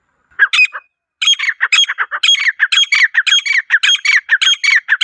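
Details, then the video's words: Female partridge's natural call: one short burst of notes, a pause, then a steady rapid series of harsh squawks. "مادہ تیتر کی قدرتی پکار"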